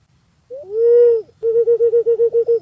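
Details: Pink-necked green pigeon: one long, mellow, arched whistle, a short pause, then a rapid series of about ten evenly spaced, pulsing notes on one pitch.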